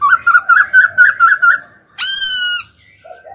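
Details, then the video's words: Ornamental laughingthrush prompted to sing: about eight rapid, evenly spaced whistled notes in a row, then a single long, piercing, steady note rich in overtones, ending with a soft low warble. "Khướu hót cực hay, kích bổi hót ngay"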